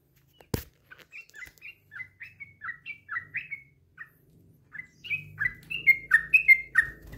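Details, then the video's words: Yellow-vented bulbul, a tame bird let out of its cage, gives a long string of short bubbly notes at a steady pace. The notes grow louder and denser toward the end, and a sharp knock is heard at the start. "BURUNG TRUCUK JINAK LEPAS KANDANG || Garuda dan Gacor Isian"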